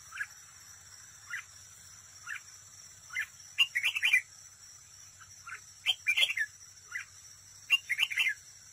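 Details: Red-whiskered bulbul kept as a trapping decoy, singing in competition: single soft chirps spaced about a second apart build into short, lively whistled phrases, several bursts of warbling notes against a low steady hum.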